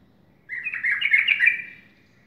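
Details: A single brief, rich warbling phrase from a sooty-headed bulbul at dawn, rising slightly in the middle, with quiet low background noise.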